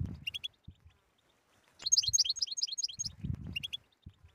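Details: European goldfinch 'batbata' song meant to stimulate a silent goldfinch: scattered sharp chirps, then a bright, fast twittering phrase of about a second, with soft low knocking sounds between.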